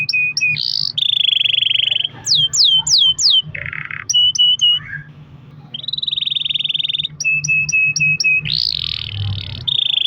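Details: Canary song used to get other canaries singing: a long rolling song of flat trills, quick rising whistles repeated four times, paired sharp chips and harsh buzzy notes, loud and continuous over a soft low hum.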